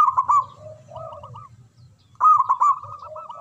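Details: Local zebra dove with a big voice singing in manggung style, used to provoke silent doves into singing; two loud rolling bursts of rapid coos, the second after a pause, with a lower warbling dove between and a constant low hum.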